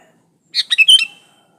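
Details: Sooty-headed bulbul in full voice, a lure to make other bulbuls sing, original with no added songs: one quick cheerful phrase of four or five tumbling, liquid whistled notes ending on a drawn-out note.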